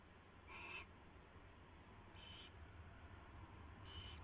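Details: Predawn nest scene, 4:21 AM on February 24, 2016, with a mouse brought in and fed: an owl gives three short rasping hisses about one and a half seconds apart against constant low background noise.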